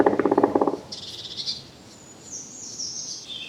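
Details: Black Woodpecker drumming, low, thick and far-carrying on a resonant tree or branch: a rapid, deep burst of about a dozen hollow knocks in under a second, then thin high whistles from another bird.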